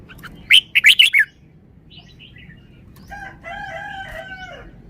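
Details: Caged red-whiskered bulbul showing its wild-style song phrasing: a quick burst of bright, warbled whistled notes lasting under a second, followed by a rooster crowing in the background.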